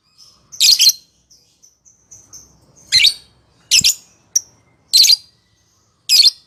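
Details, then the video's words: Lovebird ngekek, a long trill used as a lure to provoke rival lovebirds and prompt silent birds to sing. Harsh, high, buzzy chattering bursts recur about once a second, with faint thin whistles in the gaps between them. "Suara Masteran lovebird ngekek panjang memicu emosi lawan"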